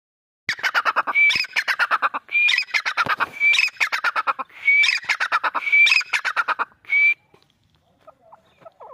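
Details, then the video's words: A grey partridge (called teetar) gives four harsh, rasping bursts of rapid chattering notes, each with a short thin whistle, over about seven seconds, then falls quiet. "grey partridge sound"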